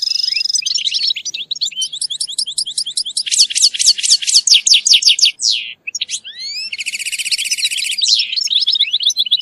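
A European goldfinch sings a fast, tinkling twitter of high chirps, liquid trills and buzzy rattles, running almost without pause.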